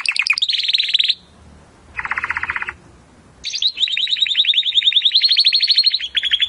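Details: Timbrado canary song for training young singers: a quick trill, a pause, a lower rolling run, another gap, then a long even high trill of rapid repeated notes.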